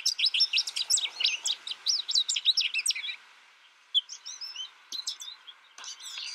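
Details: American goldfinch, a caged young bird raised in isolation through its first year and learning from a tutor recording, sings a rapid run of high twittering, warbled notes for three seconds, then pauses before sparse whistled phrases and a closing burst.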